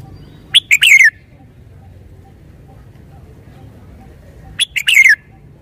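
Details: Red-whiskered bulbul repeating a short, distinct song phrase twice, about four seconds apart; each is a fast run of loud whistled notes finishing with a descending slur.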